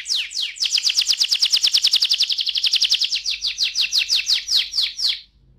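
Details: Canary in rolling 'ngerol' song, used to prompt other canaries to sing: a long fast trill of rapidly repeated bright notes that slows slightly toward the end into distinct descending strokes.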